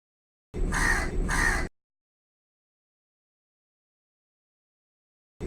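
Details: A crow calling from a tree gives a harsh double caw, two linked rasping notes, then a long silence before the next call starts.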